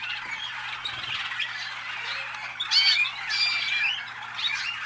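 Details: Malinois, or Waterslager, canaries hatched in North Canton, Ohio, USA: continuous trilling chatter, climbing into bright, clear whistled notes around the third second, then settling back into dense warbling.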